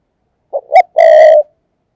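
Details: Spotted dove decoy in thúc gù cooing, used to call in wild doves. A brief low note and an upswept second note lead into a strong, sustained, slightly buzzy coo that ends abruptly.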